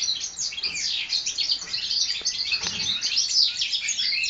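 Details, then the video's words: Four-month-old European goldfinch hybrids from the 2012 season singing: a dense, continuous stream of twittering, tinkling high notes and rapid trills without pauses, with faint background noise. "saka Melezleri 2012"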